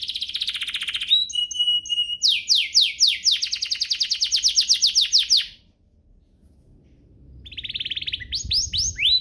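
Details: Canary singing as a lure for other canaries: buzzy trill, piping notes and a long run of quick downswept whistles, then a pause of near silence before the song resumes.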